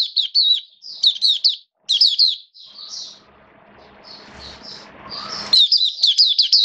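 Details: Caged Oriental white-eye (Mata Puteh) singing in wet rainy weather: high, sweet warbled phrases of quick rising-falling notes in short bursts, with a faint indoor rustle during a pause mid-way.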